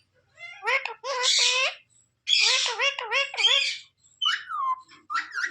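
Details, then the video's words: Pet parrot talking, said to say mummy and papa: bursts of nasal, human-like syllables in short phrases, followed by a few higher squeaky notes. "Parrot talking mummy"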